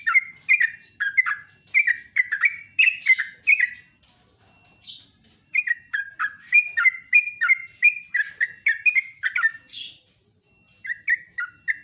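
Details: Loud, melodious morning singing by a sooty-headed bulbul: bursts of quick warbled whistles, a four-second flurry, a quiet gap, then another extended run and a final few notes.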